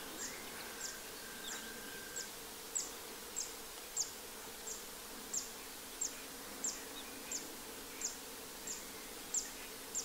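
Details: Spring song of a Zitting cisticola recorded 3 April 2024 in the Séné nature reserve, Morbihan: a long run of thin, high zipping notes spaced roughly two-thirds of a second apart over a steady noisy background and a brief low whistle.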